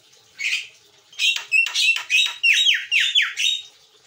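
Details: Javan myna (white-eyed) gives a quick run of harsh, squawky notes and descending whistled slurs, about seven phrases in three seconds, high-pitched and loud.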